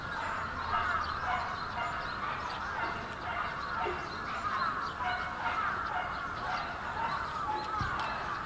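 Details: Bramblings massed in a large flock at Yoyogi Park, winter, February 2019; continuous overlapping chatter of many birds, a few clearer high notes, and a brief low thump near the end.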